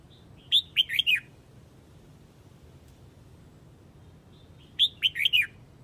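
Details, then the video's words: Red-whiskered bulbul of Hue, Vietnam, calling to gather the flock: two crisp, whistled bursts of quick falling notes, each introduced by a soft high note, separated by a silent pause of about four seconds. "Chào mào Huế gọi bầy"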